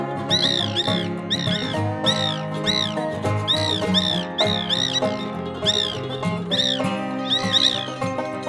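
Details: A White Woodpecker, a species of savannas, estuaries, palm groves and northern jungles, gives explosive, deafening, high arched squealing calls in quick bursts, about two or three a second, over steady background music.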